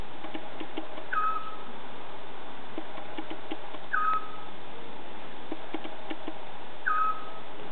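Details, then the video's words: A scops owl calling, giving a single short, clear whistled note about every three seconds over a steady background hiss. "scops owl calling"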